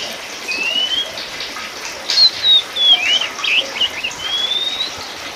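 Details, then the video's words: Oriental magpie-robin, Sumatran subspecies Copsychus saularis musicus: long rising whistles alternating with quick varied chirps and warbled notes in a busy run of phrases, over a constant watery hiss. "TERAPI KACER POCI TERJITU GACOR!!!"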